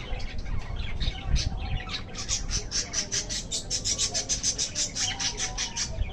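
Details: Budgerigars chirping in a village setting: rapid, dense, high chattering chirps, steady and continuous, over a constant low rumbling background noise.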